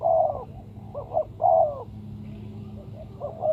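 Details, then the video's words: Spotted dove calling, a sound used to lure birds for trapping: soft low hollow coos in paired phrases, repeated roughly every second and a half, with a faint low background hum. "Sound Of Spotted Dove"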